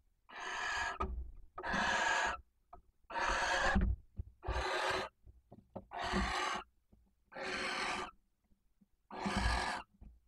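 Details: Barn owl female, one of a pair copulating many times nightly at a nest box in Cabañeros National Park, calls intensely to draw the male in. Seven harsh, breathy screeches, each about a second, repeat steadily every second and a half.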